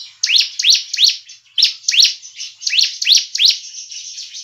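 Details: Bar-winged prinia call used as a trapping lure and to prompt caged birds to sing: rapid runs of high, sharp, descending chirps, roughly three per second, with a short break near the middle.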